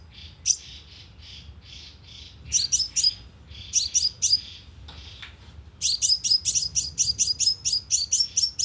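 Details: Sunbird call for luring birds to a loudspeaker trap: softer high chirps at first, then louder clipped twitters that build into a fast, dense chattering series near the end.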